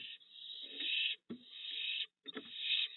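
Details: Fledged barn owl (Tyto alba) owlets at a nest box at night, as the father brings food, give three long, harsh hissing screeches of about a second each, with brief thumps and scuffling in the gaps.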